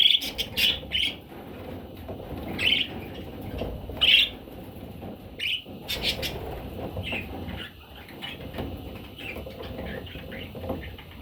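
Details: Parrot chicks giving short, high chirping calls in scattered bursts, some louder peaks near the start and middle, with quieter rustling and low background noise between calls.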